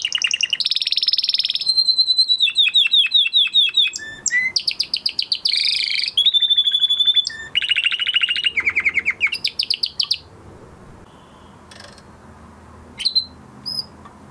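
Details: Male canary singing after its moulting period, shown in training: loud high tours of rapid repeated trills, a buzzy rattling phrase and a steady whistled note, switching every second or so, ending in near silence with two faint chirps.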